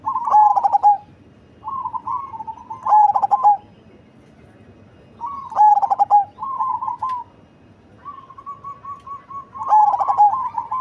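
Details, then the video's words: Zebra dove of the cemani kind, big-bodied and deep-voiced, repeating its song about every three seconds: bursts of quick throaty coos with a long final note, alternating with softer fluttering trills from other doves. "Perkutut Cemani Body Besar Suara Besar dan Ngebas"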